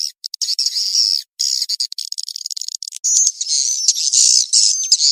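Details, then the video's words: Swiftlet calls played as a mating-chase lure: dense high chirping and buzzy twittering with short gaps, then a thin whistled line over rapid chatter. "SUARA PANGGIL BURUNG WALET‼️ REVISI SP KEJAR KAWIN ORIGINAL‼️"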